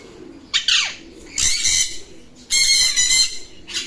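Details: Alexandrine parakeet uttering loud, rasping, noisy calls, a short downward squawk followed by two longer harsh bursts about a second apart, over a low background murmur.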